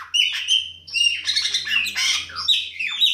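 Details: Chopi blackbird singing loudly and continuously: dense, harsh chattering notes mixed with whistled slurs and buzzy squawks, a rich tumbling song with no pauses.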